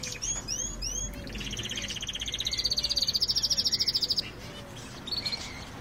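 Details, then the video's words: Canaries singing: a few high sweeping whistled notes lead into a long, even rolling trill that climbs gently in pitch and lasts about two seconds, over a steady hiss of background noise. "Canaries Singing"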